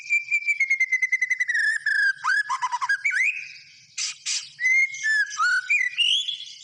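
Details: A white-rumped shama sings: a long, slowly falling whistle over rapid ticking notes, then a quick stuttering trill, two harsh bursts and bright rising whistled phrases.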